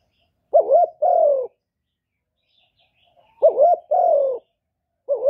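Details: Decoy spotted dove cooing to attract wild doves to the trapping spot. Two complete paired coos, a wobbling short note then a longer falling one, and the start of a third, with silence between.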